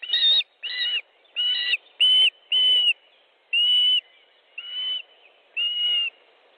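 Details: At an Estonian nest on 29 May, evening, an Osprey calls during a fish delivery: eight drawn-out clear whistles, evenly spaced under a second apart, each flat and piercing.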